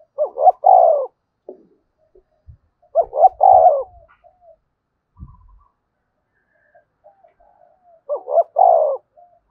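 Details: Spotted dove calling crow, three phrases of paired short notes and a long falling coo, roughly four seconds apart, with faint low knocks and soft scattered notes between.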